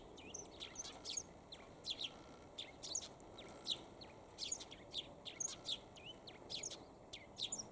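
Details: Eurasian tree sparrow calling while perched for a long time on a fine day: high, sharp chirps grouped in short bursts every second or so, with a quiet background.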